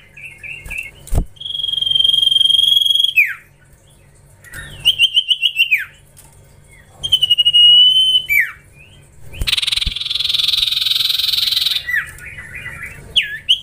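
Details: Juvenile Common Iora kept in captivity during training, giving long vibrating whistled phrases that end in falling slurs, separated by pauses, followed by a loud harsh rasping burst lasting about three seconds.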